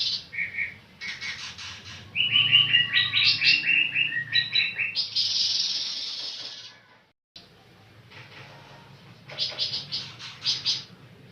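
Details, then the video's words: Songbirds singing in bursts of bright, high chirps and rapid trilled notes with short warbled phrases. They pause briefly midway, then resume with fast repeated twittering. "suara burung pancawarna"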